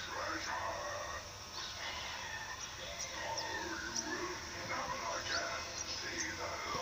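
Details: A male pin-tailed whydah in a backyard gives quick, high, squeaky chirps and sweeping whistled notes, several each second, over a busy murmuring backdrop.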